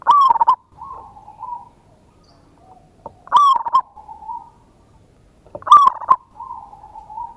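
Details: Lure song of a local zebra dove, loud and used to draw replies, with ngayer kerot nutut style: three bursts about 2.7 seconds apart, each a sharp rippling coo trailing into a softer wavering trill.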